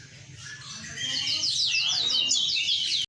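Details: Song of a mozambik × kenari hybrid bird: soft warbling builds into repeated sharp downslurred chips and quick twittered phrases before it stops abruptly. Steady low hum behind it.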